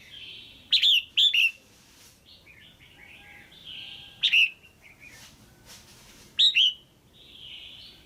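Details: Female red-whiskered bulbul calling to stimulate the male or for pairing: four loud, sharp, bent chirps at irregular spacing, separated by softer warbled notes at a similar pitch, over quiet background hiss.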